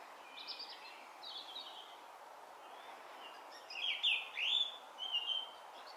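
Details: A Song Thrush sings in Brighton in June 2020, short, bright phrases: two faint whistled notes, then louder rising and falling sweeps with a crisp final phrase, over a steady low hiss.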